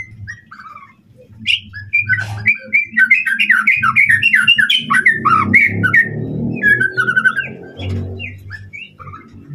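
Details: Shama song for provoking an opponent: rapid, varied downslurred and upslurred whistles with chips, packed into a continuous outpouring, over a low murmuring background noise.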